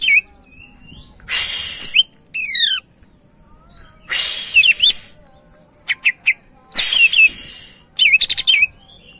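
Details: Gacor greater green leafbird, a lure bird for prompting others to sing, gives rasping broadband bursts, a run of falling whistled slurs, then clipped bright chirps and twisting notes in separated phrases.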